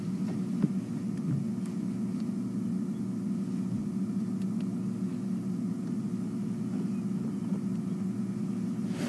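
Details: Steady low engine rumble from a safari vehicle idling and driving, with no animal calls heard.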